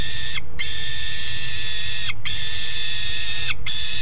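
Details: Juvenile peregrine falcons, two on the nest grate, Alphen aan de Rijn, 17 June 2016 at 13:30: drawn-out, strongly harmonic wails, each ending in a brief downward slur, repeated with short gaps about every one and a half seconds.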